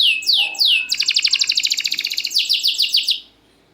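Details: Champion caged canary singing loudly with tight phrasing, meant to prompt lazy canaries to sing: falling whistled notes, then a rapid buzzy trill, then more descending swept notes before stopping.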